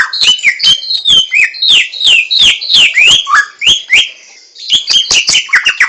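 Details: Laughingthrush known as samyong, wild, pouring out rapid whistled notes that each fall in pitch, strung closely together, then a short pause before a busier, higher run of chattering whistles.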